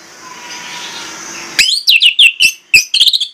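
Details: Orange-headed thrush in lure song rich in imitations: after a hissing lead-in, a quick string of sharp, downward-slurred whistles, then a rapid stuttering trill.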